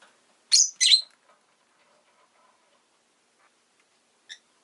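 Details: Rosy-faced lovebird, a pet bird, calling with two loud harsh chirps close together, faint low background noise, then one short distant note.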